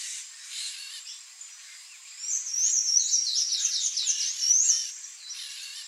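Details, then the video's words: Palm tanager, also known in Brazil as sanhaço-do-coqueiro, gives a run of thin, squeaky, high upslurred notes in quick succession. A steady hiss of background noise runs beneath. "SANHAÇO-DO-COQUEIRO (THRAUPIS PALMARUM), PALM TANAGER, SANHAÇO-VERDE, PIPIRA-VERDE."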